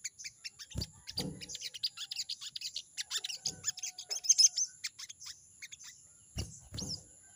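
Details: A sogon (crested jay) chatters "crecet" at a rival in a continuous stream of rapid, high, scratchy notes. A few low thumps come near the start and the end, with a steady high hum throughout.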